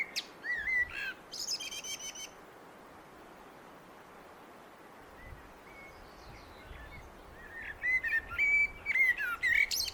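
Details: Blackbird song in two bursts separated by a quiet pause: mellow whistled notes with a squeaky high twitter at the start, then a longer warbled phrase ending in scratchy high notes, with faint rustling background noise.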